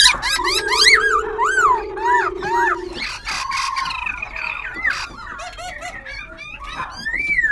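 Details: Caged Black-throated Laughingthrush, a semi-tamed wild-caught bird in Tân Túc, Ho Chi Minh City, switching voice as it sings and dances. Clear looping whistled phrases over a steady low drone, followed by varied chattering and shorter whistles.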